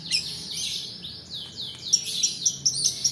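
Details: Long-tailed shrike lure, a 'roll' song for tutoring birds and rousing reluctant singers: sweeping high slurred notes, then a row of short piercing whistled pips about every quarter second.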